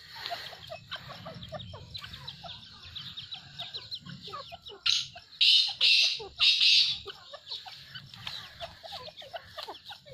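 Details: A pair of grey francolins gives three loud, harsh, high calls in quick succession over a busy chorus of small twittering birds.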